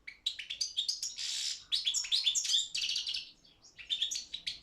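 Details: Balkan goldfinch competing in a world song championship held online by a Serbian association; varied twittering with a harsh buzzy note near the start, then tinkling chirps and trills in close succession.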